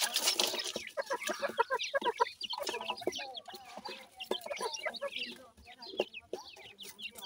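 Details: Baby pheasant chicks feeding on new food: dense, rapid high peeps and short downward-slurred chirps from several birds at once, with a few soft lower clucking notes underneath.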